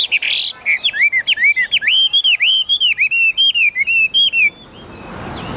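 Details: Caged Chinese hwamei singing loudly: a rapid run of clear, looping whistled notes repeated almost twice a second, each swooping up and down, ending with a brief soft note and faint hiss.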